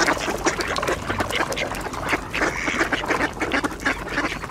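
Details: Mallard ducks gathered with Eurasian coots and two swans at a shrinking ice hole, in a feeding frenzy over scattered bird seed, quacking for position; dense, overlapping harsh quacks and chatter rise in continuous bursts, with splashing and fluttering wings.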